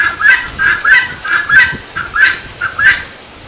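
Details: Helmeted guineafowl giving its 'tô fraco' cry: harsh, grating two-part calls repeated steadily about every two-thirds of a second, with no other clear sounds.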